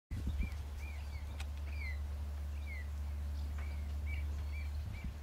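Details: Swallow, one of a pair nesting in a hide at Cley Marshes Nature Reserve, Norfolk, England, in July 2011; short, bright, upward-slurred chirps repeated about every half second over a steady low hum.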